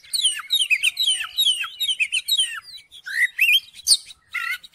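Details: Oriental magpie-robin song used to provoke a reluctant, silent magpie-robin into singing: rapid run of varied clear whistled phrases, sliding notes and chirps, dense at first, then breaking into separate bright, rising and falling notes.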